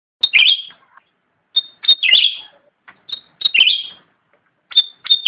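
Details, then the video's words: Cucak ranting singing vigorously: short phrases opening with two high, clear whistled notes, then a buzzy, slurred twitter falling away, repeated roughly every one and a half seconds against a quiet background. "Suara asli cucak rante / ranting gacor"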